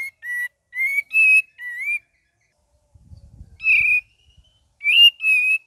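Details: Cream-vented bulbul singing a gacor variation: four rising and falling whistled notes in a brisk phrase, a short gap with faint rustling, then further whistled notes and a chattering ngeriwik flourish.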